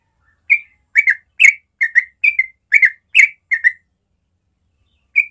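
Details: Morning ropel-style song of a yellow-vented bulbul, in natural sound: a run of eight quick chortling whistled phrases, some two-noted, then a pause and one last phrase.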